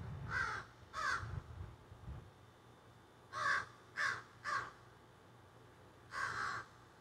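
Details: Crows squawking and carrying on in trees behind a garden, recorded on a cell phone: two harsh caws, a low rumble, then three quick caws and one longer caw.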